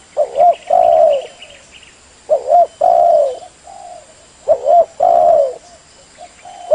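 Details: Leopard-type spotted dove (tekukur blorok) giving a lure call to draw quick answers from other doves: three repeated phrases of deep, mellow coos about two seconds apart, each a quick double note then a long drawn coo, with faint high chirping early on.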